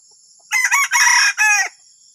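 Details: Loud junglefowl crow, a rasping four-part phrase of about 1.2 seconds with short gaps between the first, the joined middle pair and the final falling note, set against constant shrill insect drone.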